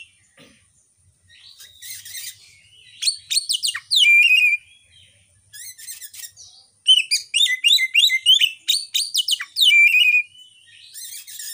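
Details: Lure song of Oriental magpie-robin (kacer), meant to stir emotion and breeding urge in kept birds, phone recording; quiet start, then fast runs of sweeping whistles and chirps, loud repeated trilled phrases and sustained clear notes.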